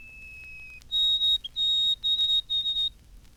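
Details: Clear, pure whistles of a White-throated Sparrow, recorded by Cornell University ornithologists, 1954. A sustained lower tone steps up to a loud high note, then short evenly spaced repeats at the same pitch, with little other sound.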